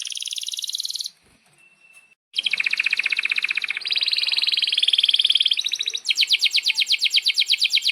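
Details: Canary singing long rolls, used for training young and silent canaries: a high pulsed trill breaks off for about a second, then long buzzy rolling trills continue, changing pitch and speed several times.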